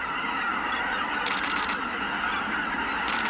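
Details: Greater white-fronted geese departing the roost, thick honking chorus from the flock broken by two rushing, wing-like noise bursts.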